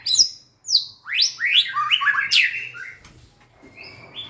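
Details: Loud white-rumped shama song given while dancing and wagging its tail: sharp high downslurred whistles, then a rush of rising and tumbling notes that fades into a soft, thin level whistle.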